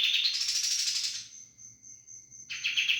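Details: Brief stretch of sooty-headed bulbul 'roll bren' singing: a high buzzy roll fading out, a second of near-quiet with a thin high pulsing tone, then the dense pulsed trill resuming.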